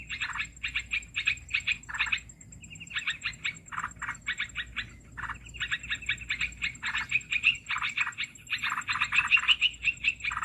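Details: Olive-winged bulbul, used as a lure for trapping: irregular groups of rapid chattering notes with short silences between phrases, some notes dipping lower, over a faint high steady whine.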